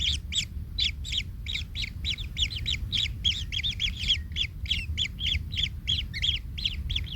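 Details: Kingfisher nestling, hurt after its parent trod on it, keeps up a rapid chatter of rasping, buzzy squeaks, irregularly spaced, over faint low background noise.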